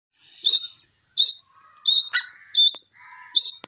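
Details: Grey francolin calling: short, harsh, high notes repeated about every 0.7 seconds in an uneven series, with a few faint lower tonal notes between them.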